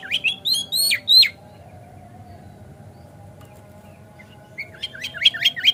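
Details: Oriental magpie-robin (kacer) lure song meant to goad another bird into singing and spreading its tail: rapid jerky whistled phrases, a silent stretch, then a fresh burst of quick, sharp rising and falling notes.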